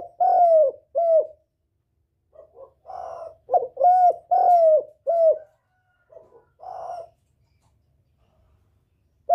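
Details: Spotted dove lure call used to provoke a decoy and call in males: rounded coos in short groups, some soft muffled notes between, ending in a quiet stretch with light background murmurs.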